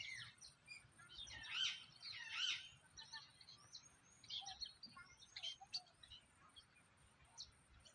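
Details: Parrot uttering two loud, harsh squawks in quick succession, followed by a run of softer, scattered chirps and brief whistles.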